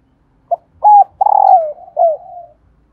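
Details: Female spotted dove call, kept to stir captive decoy males into cooing: a short soft note, then a clear level coo, a longer throbbing coo that slides downward, and a final falling coo, in a quiet setting.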